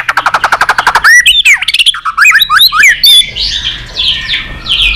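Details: White-rumped shama in competitive singing: a fast run of about fifteen repeated rattling notes, then looping whistled slurs and sharp notes, fading into softer higher warbling.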